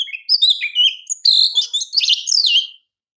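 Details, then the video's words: Kacer, the Oriental magpie-robin, singing a champion master song for training: dense, rapidly changing phrases of sweeping whistles, buzzy notes and chatters, nearly continuous for almost three seconds before stopping. "KICAU KACER JUARA PALING PAS UNTUK MASTERAN KACER"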